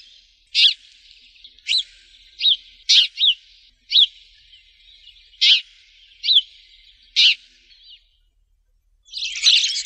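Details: Sparrow giving single sharp chirps about once a second over faint steady twittering, ending with a short burst of harsher chatter.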